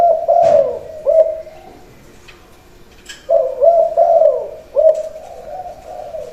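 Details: Khan yon song of a trained male decoy Spotted Dove, about to be boxed for a buyer: two bursts of deep, bubbling coos, one at the start and one from around three seconds, separated by a quiet pause.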